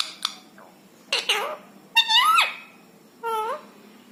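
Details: Pet rose-ringed parakeet, a rescued ringneck from India, talking in scattered bursts: a short sharp chip, then throaty harmonic syllables, a longer rising-falling nasal phrase, and a final short rising note after a pause.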